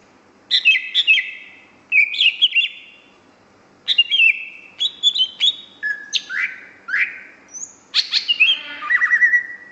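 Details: Greater green leafbird singing energetically: separated bursts of sharp chirps and slurred whistles, roughly every two seconds at first, then a continuous varied stream of falling whistles and chatter ending in a trilled note.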